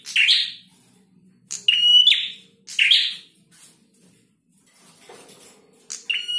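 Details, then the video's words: A male prinia gives loud buzzy high chirps and a level ringing whistle, three phrases then a pause before another starts at the end. "Prenjak Jantan Gacor"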